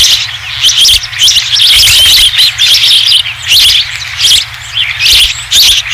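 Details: Osprey at a ranch nest as a bird returns with the first fish of the day, 20 July 2016: sharp, high chirps come in quick bunches over a dense, hissing wash of sound that never lets up.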